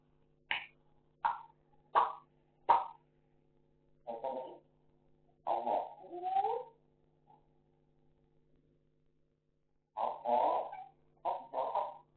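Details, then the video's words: Pet African grey parrot in Sukkur, Pakistan, talking indoors in short separate word-like bursts, some sharp and clipped, others longer and voiced, with quiet gaps and a steady low hum. "African gray talking video"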